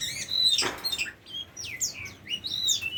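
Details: Oriental magpie-robin, a tame bird, giving high whistled slurs and downward sweeps in loose phrases, with one brief broadband knock near the start.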